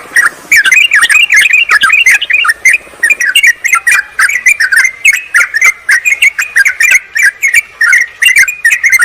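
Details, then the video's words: Sooty-headed bulbul calling a rival, used as a lure for wild birds in forest or garden. Fast, busy chatter of bubbly rising-and-falling notes runs nearly nonstop, with a faint low hum in the first few seconds. "suara pikat burung trucukan PALING AMPUH TERBARU/Trucukan memanggil lawan"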